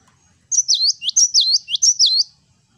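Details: Gelatik batu (cinereous tit) in full, vigorous song of the "wucit wucit" style: five clear two-part whistled phrases, each a high note falling then rising again, delivered evenly over about two seconds after a short quiet lead-in.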